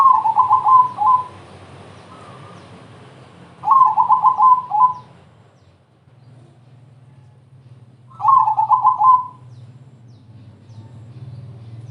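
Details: Zebra dove "crossing" song meant to lure other doves into singing: three rapid bubbling coo phrases, each about a second long and spaced roughly four seconds apart, over a low constant hum.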